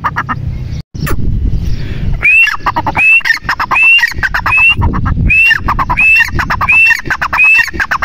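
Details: Female grey francolin repeating its loud call: each phrase opens with a sharp upward-sliding whistle, then a rapid series of rough, choppy notes, phrases coming about every 0.7 seconds over low rumbling background noise.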